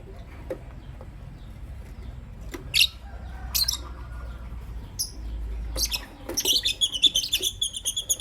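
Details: Morning chirping from a green Personata lovebird and a pastel white lovebird. Scattered sharp high chirps give way to a fast run of rapid twittering notes at the end, with a low hum underneath.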